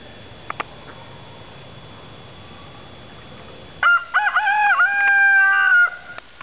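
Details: Rooster crowing once after about four seconds of quiet background hum. The harsh, harmonic cock-a-doodle-doo opens with short choppy notes, then holds a long stepped tone for about two seconds before cutting off. A few faint clicks come earlier.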